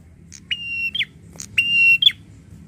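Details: Agitated, angry prinia giving two phrases, each a steady, harmonic-rich held tone ending in a sharp downward flick, with a faint soft note before each one.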